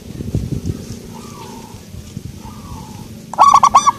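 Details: Soft-voiced local zebra dove: rustling and faint cooing at first, then one loud rapid phrase of about five rolling coo notes at the end.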